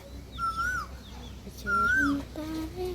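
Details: Indian peafowl outdoors calling twice, each a loud, nasal, wailing note that rises gently then falls off, about half a second long and roughly a second apart. People talk quietly underneath and a lower voiced sound follows.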